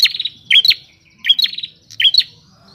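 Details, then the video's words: Wild prinia singing actively in open nature: high, sharp chirps delivered in three quick clusters, each a snappy double note with a buzzy trill, about once every 0.7 seconds, over faint low background rumble. "Burung prenjak liar gacor di alam bebas."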